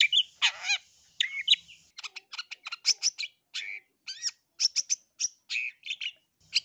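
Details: A long-tailed shrike mixes a rough, buzzy rasp with quick stuttering clicks and bright chirped notes in a busy, uneven medley, played to get other shrikes singing back.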